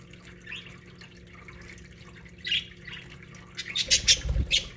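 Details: Budgerigars from an aviary colony, quiet scattered chirps at first, then a loud burst of overlapping squawks and high chirping notes in the final second and a half, over a low rumbling background.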